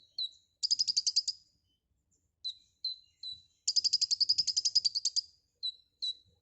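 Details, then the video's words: White-rumped shama singing busily in 'gacor full isian' style: a falling whistle, a rapid chattering train, scattered short whistles, a longer run of buzzy notes, then more brief whistles. "Suara burung Konin GACOR FULL ISIAN"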